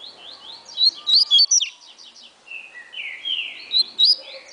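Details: Caged double-collared seedeater, a fast tournament-bred bird, singing rapid high buzzy trills and sweeping whistled notes in quick bursts, with sharp clicking sounds between phrases.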